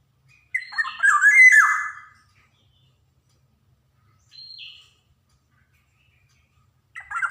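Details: Javan Black-naped oriole, a lively singer used to train young birds: a loud, raspy, slurred phrase, a short quiet nasal note a few seconds later, and the start of another harsh phrase.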